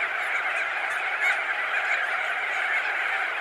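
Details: A colony of thousands of crested auklets, perched and wheeling, produces a constant wall of overlapping nasal honks and chatter, loud and unbroken throughout.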